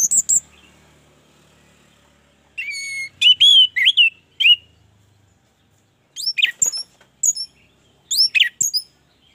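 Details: Orange-headed thrush singing vigorously, used as a lure recording to spur other birds to sing: short bursts of high, bright whistled and warbled notes, some sliding upward, in separate phrases with pauses between.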